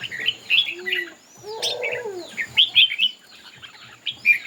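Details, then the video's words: Red-whiskered bulbul in a competitive singing match, giving short, lively whistled and chirping phrases separated by brief gaps; a lower arching, mellow note sounds near the start. "Noog Diab Quaj Zoo Heev ll Chim Chào Mào Hót Đấu."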